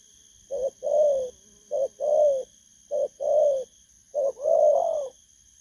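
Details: Spotted dove giving its 'thổ cấn bầu' coo: four paired phrases, each a brief low note then a fuller, longer coo, spaced roughly every second and a quarter, with faint background hum.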